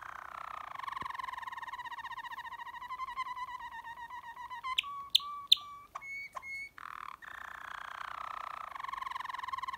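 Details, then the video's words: Waterslager canary singing deep tours: a long, low, rolling water-like trill with rich harmonics, broken midway by a few sharp clicks and clear whistled notes, then resuming the low rolling tour. "waterslager canary deep tours"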